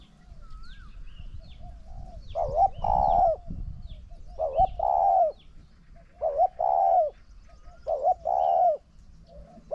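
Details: Spotted doves in a decoy session, a caged decoy bird facing a wild dove that coos strongly; deep rounded coo phrases come in spaced groups of two or three notes roughly every two seconds, with faint chirps and low rumbling background.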